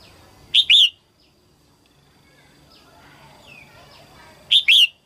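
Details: Female red-whiskered bulbul, 2022 early-season singing meant to stimulate males: two loud, brief two-part whistled phrases about four seconds apart, with faint thin bird notes between them.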